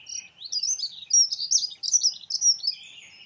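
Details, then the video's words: Dunnock giving a fast, continuous, tinkling warble of high, jumbled notes that rise and fall, delivered loud and close throughout. "Dunnock sings. Heckenbraunelle singt."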